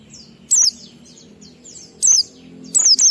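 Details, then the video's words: Ngalas-style song of an Oriental white-eye, a 12345-beat pattern used as a lure to get birds singing. Three piercing high down-slurred chirps about a second apart, with softer chatter behind. "Pleci Ngalas 12345 AMPUH memancing Pleci bahan omyokan Cepat buka paruh"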